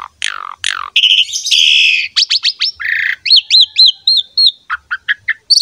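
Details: Lively Asian pied starling song meant to set other starlings singing: falling whistles, a sustained buzzy phrase, then a series of looping up-and-down whistled notes repeated about three times a second.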